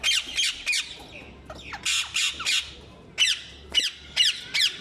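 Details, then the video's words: Shrill, grating squawks from ring-necked parrots, locally mitthu popat, delivered in clusters of two or three rasping notes separated by brief pauses. "मिट्ठू पोपट Ring neck parrots"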